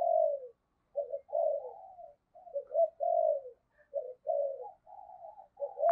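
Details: Spotted dove in 'thổ sấm' voice, recorded for urging and luring birds. Quieter, mellow low coos arrive in irregular clusters of falling and level notes, separated by short silences.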